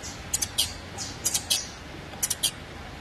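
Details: Young saffron finch begging for its mother with clusters of two or three thin, piercing squeaks, grouped at roughly one-second intervals over quiet low hum.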